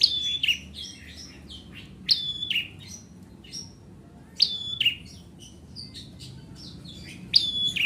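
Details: Bar-winged prinia (ciblek merah) singing strongly: four loud, high, piercing phrases roughly every two to three seconds, each a bright whistle falling into a sharp chip followed by short twittering notes, on a quiet background.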